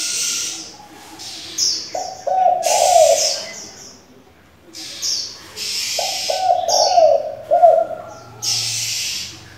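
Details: Spotted dove, a multi-voiced decoy used to train young doves, utters two low cooing phrases about four seconds apart, with high chirps and hissy bursts of noise around them.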